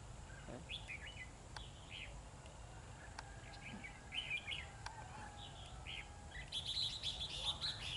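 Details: A newly caught wild Oriental magpie-robin at midday sings short, varied whistled phrases, some bright and some scratchy, spaced irregularly over a steady hiss of outdoor noise.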